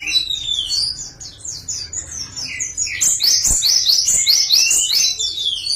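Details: Java sparrow song variation: a continuous, rapid run of high, bright chirps and clicking notes, about two per second, building louder and denser halfway through, with faint knocks below.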